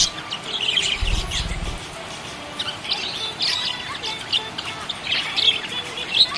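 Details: Budgies chirping happily, high twittering chatter and squeaks from several birds, a brief low thump near the start, otherwise steady chirping throughout.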